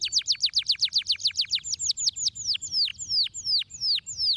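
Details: Canary song used to stimulate caged birds to sing: a fast trill of steep descending whistled notes, about 150 per minute, later slowing into longer separate downward-sweeping notes over a faint low hum.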